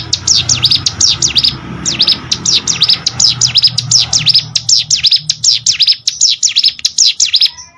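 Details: Singing hill prinia used as master audio for contest birds: long chain of high, sharp falling-rising notes, quickening to a dense trill over faint low background noise.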